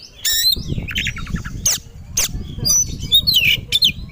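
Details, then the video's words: Caged white-rumped shama provoked into aggressive, fight-ready singing: harsh rasping bursts and quick descending chatter mixed with high squeaky whistles over a steady low rumble of background noise. "Pancingan Kacer Agar Cepat Emosi Gacor 3 || Super Gacor Langsung Tarung"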